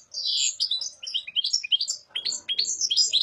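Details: Kept European goldfinch in steady song, a dense chain of bright twittering phrases and tinkling trills with little pause.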